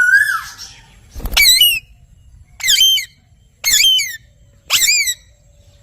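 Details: Ringneck parrot starting with a short wavering whistle, then four harsh, buzzy screeches spaced about a second apart, each with a rising-falling wobble, loud and close.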